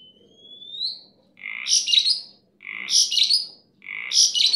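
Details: Pet starling in full, lively song: a long rising whistle, then loud, harsh squawking bursts with buzzy overtones, repeated roughly every second and a quarter.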